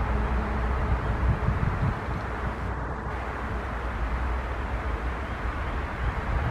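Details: Continuous low vehicle rumble and broadband road noise fill the scene, with no animal sound apparent.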